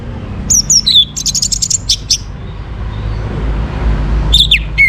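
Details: Morning orange-headed thrush singing as a breeding-condition lure: quick descending slurs followed by a rapid rattle of high notes and a few sharp chirps, then a pause and another slurred phrase over low background noise.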